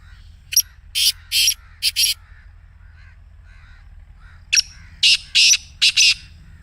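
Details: Black Francolin calling in its excited voice, recorded to set a caged bird calling: two separate bursts of rasping, scratchy notes, each about five notes long, with faint twittering of other small birds in the pause between.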